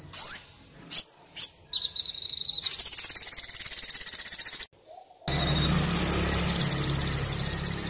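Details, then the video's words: Sunbird song (Kolibri Wulung) from a training recording: a few high sliding notes, then a long rapid buzzy trill. After a brief gap the trill resumes over a steady low hum. "30 menit pancingan/masteran Kolibri Wulung full isian mewah"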